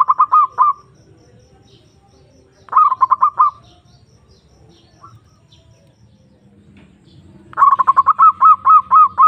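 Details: Zebra dove (perkutut) calling a rival as a lure to excite other birds: brief bursts of rapid staccato coos separated by two-second pauses, ending in a longer run of about twelve repeated notes.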